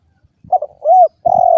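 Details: Short excerpt of a spotted dove's low, mellow coos, a stuttered note, an arched coo and a sustained coo, accompanied by low thumping sounds.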